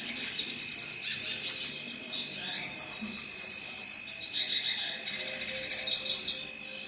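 A red siskin sings a fast, high twittering song of buzzy trills and chirps, nearly continuous throughout, with a steady high tone running underneath.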